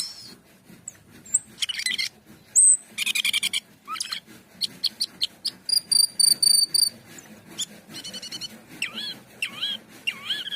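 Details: Asian pied starling singing hard: scratchy chatter builds into loud rattling bursts and clear, level whistled notes, ending with repeated rising, slurred whistles, over a faint low hum.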